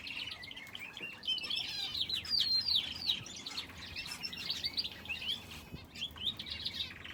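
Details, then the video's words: Finches in an aviary that also holds a canary, overlapping high twittering and fast chirped phrases from several birds, louder bursts in the first half and softer chatter later. "Aviary with finches and canary"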